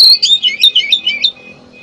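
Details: Rapid, warbling run of bright whistled notes from an oriental magpie-robin, used as a lure to trap birds, tumbling up and down before stopping abruptly into quiet.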